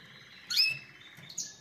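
A canary gives a brief, bright burst of high twittering notes, then a second short chirp a moment later, over faint low background hum.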